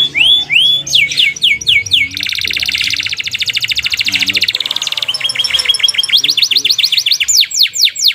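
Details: Long canary roll song used to get canaries singing: rising whistled sweeps in quick series, a long rapid buzzing trill through the middle, then more repeated upward sweeps, loud and high-pitched, with a faint low hum.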